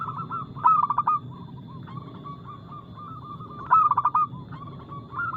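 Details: Two rapid, loud bursts of clipped coos from a local zebra dove known for fast notes and a crystal-clear voice, with a bed of gentler wavering dove cooing throughout.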